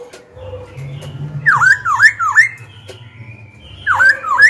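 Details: Black-throated laughingthrush, a young singer, calling out rivals and coaching young birds: three loud looping whistles in a quick run, a pause with low hum, then two more looping whistles.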